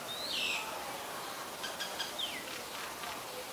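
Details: Common myna recorded in Ubon Ratchathani, Thailand, 20 March 2022: clear high whistles sliding downward, a pair of them with soft clicking notes in between, over a faint steady hiss.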